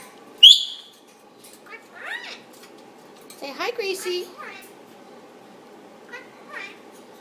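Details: Male Indian ringneck parakeet kept as a caged pet, chattering at its owner and a neighbouring caged bird. A sharp high squeak comes first, then bursts of squeaky, slurred, speech-like syllables with pauses between them.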